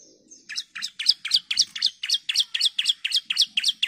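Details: Calling female bar-winged prinia used to draw out a male: a long, even run of about fifteen high, sharp chirping notes, roughly four each second, loud and clean with a faint whine behind.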